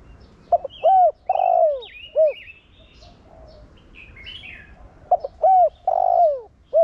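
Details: Thổ Đồng-style cooing of a spotted dove used as a lure to get other doves cooing; two phrases a few seconds apart, each stuttered notes then a hooked coo, a drawn-out falling coo and a short coo, over light chirping.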